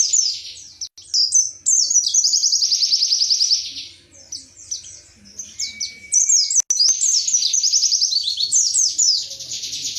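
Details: High-pitched wiksar song of an Indonesian white-eye (pleci), tembakan materi style: rapid trilled rattles and falling slurs in long bursts, a brief pause near the middle, one clean steady whistle, then renewed chattering.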